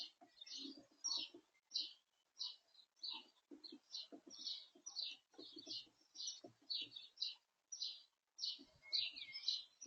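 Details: Blue tit at a garden bird feeder, feeding, giving a rapid run of short, high chirps and slurred notes about twice a second, with soft low knocks and taps from the feeder between calls.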